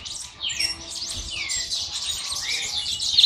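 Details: A monjita just starting to sing gives a thin, high twittering song: quick chirps and short downward-sliding whistles run together without pause, over faint background hiss.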